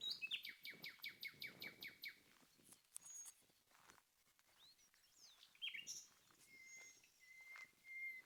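Common nightingale song: a fast burst of about a dozen rich repeated notes, scattered chips, then a sweeping phrase and long, pure, even whistles.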